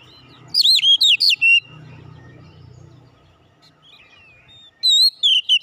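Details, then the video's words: Oriental magpie-robin fighter-character therapy song: a quick cluster of five loud warbled whistles, a quiet stretch with low hum and soft scratchy sounds, then another short burst of high slurred whistles. "terapi tes Kacer bahan cepat keluar karakter fighter"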